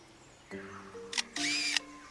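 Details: An Australian lyrebird mimics a camera shutter: two sharp, hissing mechanical bursts, a brief click and then a longer whirring clatter, over steady background music.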